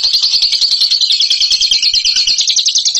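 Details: Champion bird in ngekek song style: a long, fast run of high chattering notes, about three per second and closely packed, held steady throughout with no other sounds.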